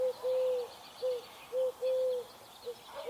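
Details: A dove cooing at dawn, soft hollow low coos mixing short and drawn-out notes in an uneven run, with faint high bird chatter in the background.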